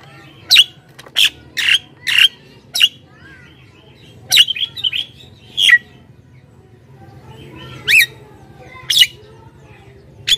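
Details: Lively Javan myna song meant to call wild mynas from the forest and to tutor caged birds: a run of sharp rasping bursts and clipped whistles, a pause, then more squawks and rising whistled notes, faint hum beneath.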